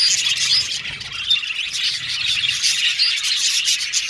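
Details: Budgerigars chirping as a group in an aviary, a continuous high-pitched chatter of quick tweets and warbled notes, loudness rising and dipping gently.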